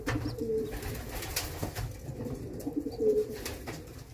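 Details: Mother racing homer pigeon cooing softly in a low voice, two rolling coo phrases roughly two and a half seconds apart, with scattered knocks and clicks around it.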